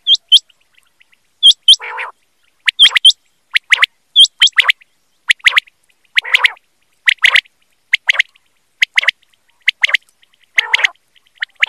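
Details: Quail call recorded for quail hunting: quick pairs and triplets of sharp, abrupt notes repeated steadily, with thin high upturned whistles early on and a few harsher rasping notes mixed in.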